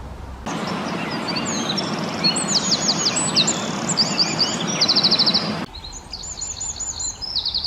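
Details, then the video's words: Singing male Eurasian wren recorded in the Czech Republic: loud, fast, high-pitched phrases with several dense, rattling trills of evenly repeated notes, set against a broad hiss that stops abruptly before the song continues. "Střízlík obecný, Eurasian Wren, Songbirds in the CZE, ptačí zpěv"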